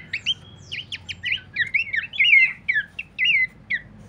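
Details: Abbott's babbler used to lure and train birds: a clear stream of sharp whistled, wavering notes, roughly one phrase per second, ending in spaced single chirps.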